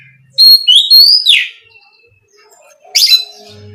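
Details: Oriental magpie-robin song meant to stir other magpie-robins to sing. A clear, loud whistle climbs and slides, ending in a falling slur, then after a pause comes a short, scratchy, high burst.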